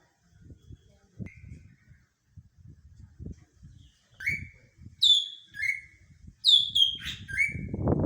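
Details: Greater green leafbird singing: after a few quiet seconds of low background rumble, clear whistled notes start, some sliding and some in bright clusters, sung in short bursts over the last four seconds, with rising noise at the end.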